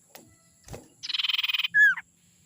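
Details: Young wild forest sirtu, used as a lure to get other birds singing: a fast buzzy pulsed trill of about a dozen beats, then one loud downslurred whistle, after a couple of soft knocks.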